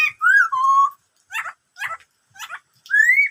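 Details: Black-throated laughingthrush song "bắt cô trói cột": a curving whistle and a long level note, then three short harsh chattering bursts, closing with a rising whistle.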